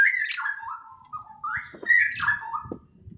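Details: Birds in a greenhouse giving loud whistled chirps that rise and then slide down in steps, two main phrases about two seconds apart, with faint lower clicks and rustling beneath.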